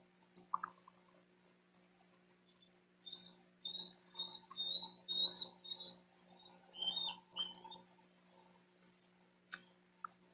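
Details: A Bald Eagle fledgling, R5 at 88 days old, gives a thin, high chittering series of quick piping notes for about three seconds, then a brief second burst, over a steady electrical hum. This is likely his call to his brother R4 from a distant tree near the nest in South Florida, 12 June 2023.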